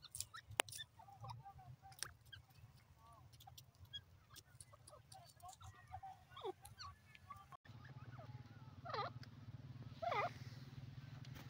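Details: Grey francolin, known locally as teetar, giving two loud, harsh notes with strong harmonics near the end. These follow a stretch of faint, scattered chirps, all over a steady low background hum.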